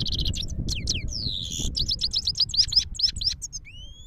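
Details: Himalayan goldfinch song from Parachinar: fast, liquid twitters and down-slurred whistles tumbling in quick succession, closing with a thin rising whistle, over soft low background noise.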